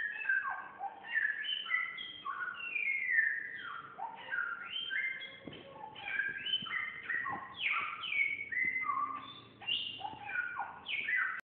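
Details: Samyong singing energetically, a fast continuous stream of varied clear whistled phrases, many sliding down or up, closely packed with barely any pauses, with faint low background hum.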